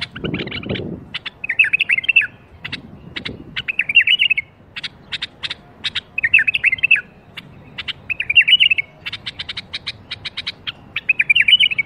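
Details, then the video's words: Bulbul singing 'berwaz' to coax silent bulbuls into song: five or six rich warbled phrases recurring every two seconds or so, each followed by quick sharp chips. "أقوى برواز بلبل ممكن تسمعه لفتح البلابل القافله"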